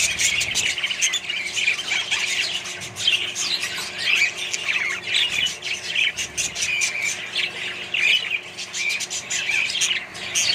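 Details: Budgerigars in a colony shared with other birds: dense, continuous chatter of squawks, chirps and warbled notes from many birds at once, with sharp clicks and brief whistles scattered throughout.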